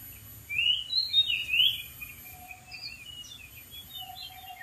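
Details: Oriental magpie-robin in the wild perched on a dead tree, giving a burst of bright rich whistled notes followed by softer scattered chirps and quiet warbling, with a low faint tone underneath and light background noise.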